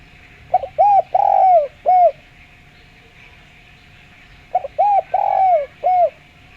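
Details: Spotted dove with a clear voice, recorded for use as a lure: two phrases of soft cooing, each a short double note, two arched coos and a long falling trill-like coo, then a final arched coo, about four seconds apart over steady background hum.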